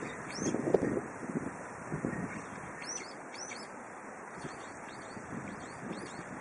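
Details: In spring wind, a brown-eared bulbul gives high, looping whistled notes, first singly and then in a run of quick, stuttering shorter notes, with soft gusts underneath.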